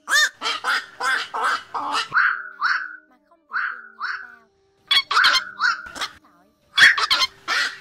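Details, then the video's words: Black-crowned night heron flock call used as a night lure to draw migrating birds into nets in August 2024: harsh, raspy croaking bursts alternating with shorter downslurred nasal notes, in uneven clusters with brief silent gaps. "Tiếng Vạc Bẫy Lưới Đêm Hiệu Quả Nhất 2024 Bài Gọi Bầy Cắn Toát 2 Vế"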